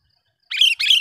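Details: Sooty-headed bulbul used as a lure bird, its call meant to be loud and sharp to provoke rivals: two harsh, rasping notes in quick succession, nothing else audible.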